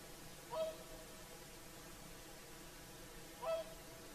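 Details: Sunset on Lake Saimaa, Finland, with whooper swans singing: a pair of evenly matched, clear honks spaced nearly three seconds apart over a quiet, hissing lakeside background.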